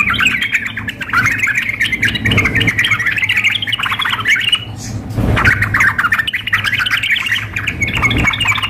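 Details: Contest-style mix of a yellow-vented bulbul female calling a male and a fired-up singer. Harsh, squawky, rapid chatter runs almost unbroken, with a brief pause near the middle, over faint low hum.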